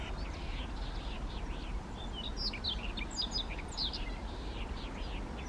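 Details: Siberian rubythroat singing in Kushiro, Japan, on 3 July 2019, handheld camera recording; a rapid, varied jumble of high chirps, trills and slurred whistles over heavy low rumbling background noise.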